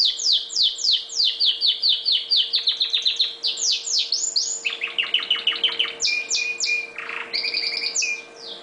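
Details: Pet red factor canary in full song, opening with a fast series of repeated downward-sweeping notes about four per second, then rolling trills at varied pitches, a short low rasp, and more rapid repeated phrases; a faint constant hum underneath.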